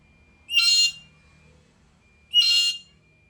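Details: Black-capped lory calling repeatedly: two loud, rasping screeches about two seconds apart, each roughly half a second long, in an otherwise quiet setting.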